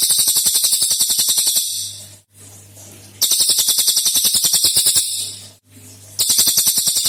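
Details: Energetic cililin song used as a lure for other birds: three fast rattling trills of rapid buzzy pulses, each lasting one to two seconds, with a constant low hum in the gaps.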